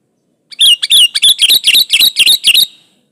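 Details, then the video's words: Sooty-headed bulbul singing energetically, unmixed and used to lure other bulbuls into song: a loud, fast run of about ten bright, chirpy notes, each bending down and back up, delivered in under three seconds. "Suara burung kutilang gacor Asli tanpa isian Ampuh buat pancingan kutilang gacor"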